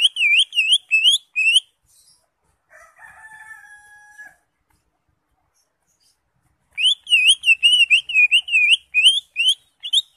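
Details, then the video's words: Greater green leafbird, crest raised, singing actively with many varied fillers, a master recording for training songbirds: two bursts of rapid, looping whistled notes separated by quieter steady drawn-out tones and a few seconds of silence. "CUCAK HIJAU (ijo) NGENTROK JAMBUL GACOR FULL ISIAN COCOK BUAT MASTERAN"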